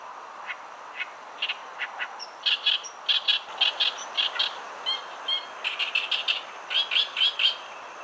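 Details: Oriental reed warbler, heard but hard to see, in reeds on the Ōyodo riverbed while chinaberry trees are in full bloom: loud, harsh, grating chatters, short rasping notes in rapid bursts over a soft steady hiss.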